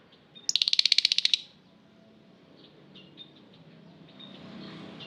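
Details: Lovebird in an aviary delivers a rapid rattling chatter of about fifteen fast harsh pulses lasting under a second, then quiet faint twitters and background rumble.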